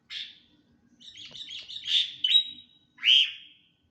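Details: Stressed, attention-seeking sooty-headed bulbul: an opening chirp, then a jumbled run of twittering notes drawing out into a thin whistle, closed by one loud downslurred chirp.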